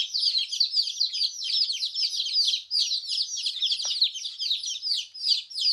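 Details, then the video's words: Newly hatched colourful chicks, many together, chirping nonstop: a dense chorus of high, piercing peeps, each sliding downward, overlapping at roughly two or three per second with no pauses; one brief low knock midway. "Hen Chicks making Noise"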